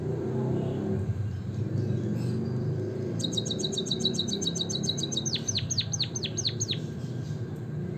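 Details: Chirping of a white-headed munia, used to prompt birds to sing. Steady low rumbling noise for three seconds, then a rapid high trill and a series of sharp falling chirps over the background hum.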